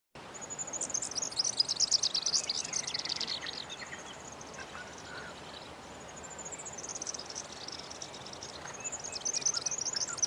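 A splendid fairywren gives two long bursts of very high, rapid, reeling trills, with a short quieter gap between them, over a steady background hiss.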